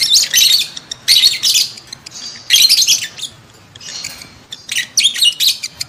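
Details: Calls of lovebirds in breeding condition, used to stimulate adults to mate: loud bursts of harsh, shrill chattering and squeaks, each lasting about half a second, separated by short quieter gaps.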